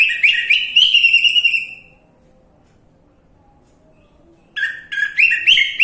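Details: Song of an orange-headed thrush, a lure meant to spark a quiet bird into singing: a two-second run of rich, tumbling whistled notes, then a pause and another varied warbling phrase.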